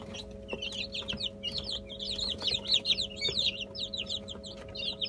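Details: Many chicken chicks eating a mash of boiled egg, soaked bulgur and olive oil; a dense chorus of high, thin, overlapping peeps and short chirps runs without pause over a steady low electrical hum.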